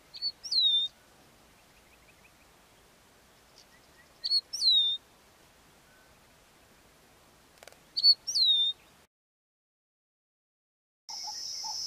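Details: A southern African lark gives three clear, high whistled calls about four seconds apart, each a quick short note then a longer curving whistle, against a quiet background.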